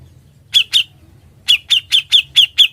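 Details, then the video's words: Grey-cheeked bulbul, recorded singing actively in ngebren style for training other birds: two chirps, a pause, then a steady run of six evenly spaced, slightly descending chirps. "Suara burung cucak jenggot, gacor & NGEBREN"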